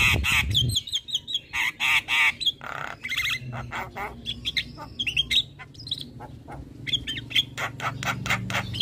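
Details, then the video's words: Nonstop gacor chatter of a black-winged myna: dense harsh squawks, trilled whistles and sharp ticks packed closely together, with a low rumbling hum underneath. "Jalak kebo gacor Ngoceh tak Henti Henti"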